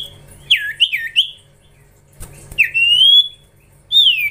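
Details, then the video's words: Young common iora during training: three quick, slurred whistled notes, a pause with a few soft clicks, then a long, clear whistle that rises slightly, and a final bright falling whistle. "Gacorrr ngelatih cipow cipoh anakan"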